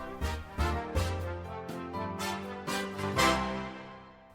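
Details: Only instrumental theme music is heard, with no animal sounds.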